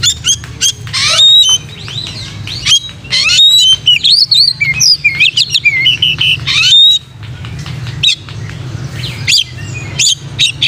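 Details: Oriental magpie-robin song meant for training other magpie-robins, a rich medley of clear whistles, looping slurs and harsh bursts delivered in quick bouts with short breaks, a low background hum underneath.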